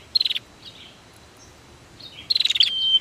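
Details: Brief prinia bursts: a short fast buzzy pulse train, soft gaps with faint distant chirps, then a second rapid pulsed trill sliding into a thin whistle.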